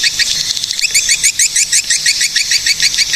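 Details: Swiftlets recorded in Cilacap, Central Java, Indonesia, as a swiftlet calling track. High, clear chirps repeat rapidly at about three per second in a steady run, with buzzy overtones and no other sounds.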